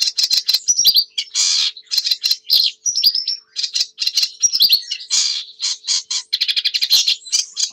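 A sedge warbler sings a fast, chattering medley of harsh churrs, dry rattles and sweet whistled notes, switching phrases rapidly and without pause.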